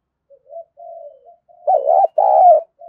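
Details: Spotted dove cooing, played to spur wild-caught birds to call for decoy training: quiet drawn-out murmurs building into two loud, warbling, hollow coos.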